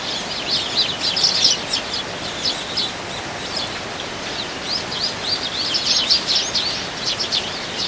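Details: Dozens of Eurasian tree sparrows competing for food in winter, a dense chorus of short, high chirps overlapping in constant chattering, several every second, over a faint outdoor hiss.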